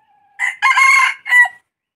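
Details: Red junglefowl (Gallus gallus) in Burma gives one brief, clipped crow in three harsh parts: a short opening note, a longer rasping middle and a quick final note.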